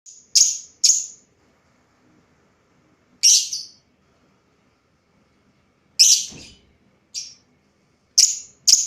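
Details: Lovebird calling: sharp, harsh, high chirps given singly or in quick pairs, separated by gaps of one to three seconds, with silence in between.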